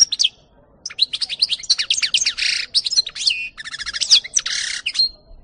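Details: Lively European goldfinch song recorded in 2018: quick high chirps, buzzy nasal notes and liquid trills tumbling together in fast, jumbled phrases with short pauses.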